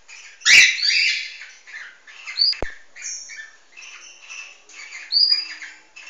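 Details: Mating cockatiels, albino crossed with white-faced, heard as a loud harsh squawk, then a run of chirps, short rising whistles and raspy notes in irregular bursts, with a single sharp click.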